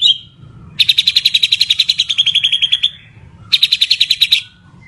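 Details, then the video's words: White-rumped shama from Medan singing hard: a long, fast, even trill of sharp repeated notes lasting about two seconds, a short pause, then a second similar trill, over a faint low hum. "Mantab Kicau Murai Batu Medan Super Gacor Sekali"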